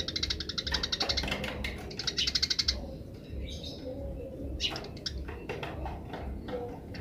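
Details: Wild Eurasian tree sparrow giving the rapid chattering 'grece' call: fast trains of sharp chirps for nearly three seconds, then scattered single chirps over a low background rumble.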